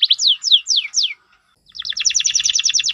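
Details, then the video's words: Four loud descending whistled sweeps from a canary, a short silence, then a fast, dense buzzy trill of repeated notes. "Masteran burung kenari gacor #4"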